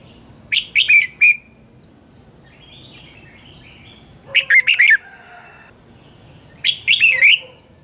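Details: Red-whiskered bulbul in the double-twist voice style, singing a morning training song meant as lure audio for training birds: three bursts of rapid, bright twisting notes, with softer chatter between bursts and a low steady background.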